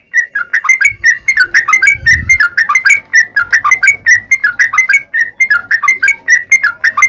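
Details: Dense yellow-vented bulbul song used as a lure for other bulbuls: a rapid, rolling string of slurred chirps and short whistles, with a brief low thump near the middle.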